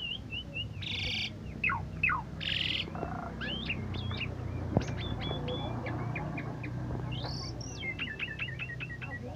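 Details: Asian pied starling, a caged songbird that once won first place in an Independence Day (17 August) contest, sings a lively, varied song of harsh buzzy bursts, slurred rising whistles and quick chatter over a steady low rumble, with faint voices behind.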